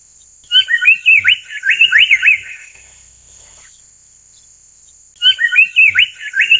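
Amur paradise flycatcher giving two bursts of quick, harsh rising-and-falling notes about four seconds apart, over a steady high insect hum.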